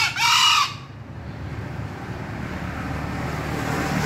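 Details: One brief, hoarse crow from a green junglefowl right at the start, a clipped two-note burst lasting under a second, then only low background rumble.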